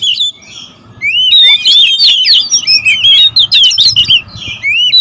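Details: Oriental magpie-robins, territorial birds, squabbling noisily: after a quiet start, a burst of crowded, overlapping whistled notes and twittering slurs, about three per second, loud and continuous, with a faint background hum.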